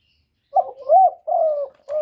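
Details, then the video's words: Spotted dove giving one clear, close phrase of four soft coos. A short opening note is followed by a longer coo that rises and falls, then a long even coo and a shorter closing coo. The background is quiet. "សំឡេងលលកូក2.ឮច្បាស់ល្អ.2023, TERKUKUR, chim cu đất, tiếng chim cu thái, cu cườm gáy gọi"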